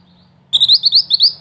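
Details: Mantenan, a small black-and-red wild bird whose voice suits the 'ngerol tembak' rolling style: after a faint low hum, a quick run of about eight sharp, high, slurred chirps follows in under a second.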